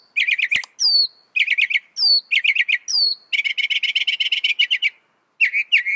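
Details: Northern mockingbird singing loud, fast song, each phrase a rapid stutter of buzzy notes repeated several times, with high downslurred whistles between, then a long rattling series and two quick chirps.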